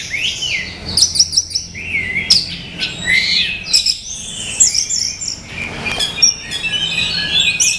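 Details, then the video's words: Song of a male orange-headed thrush: a continuous, jumbled stream of high whistles, trills and squeaky slurred notes, varied and rapid, with little pause between phrases. "Tiếng chim Hoét lửa"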